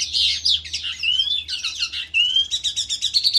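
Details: A skylark, called dzhurbay, sings in a ravine, a dense high warble that breaks into a brief whistled slide, then a fast, even series of repeated chirping notes.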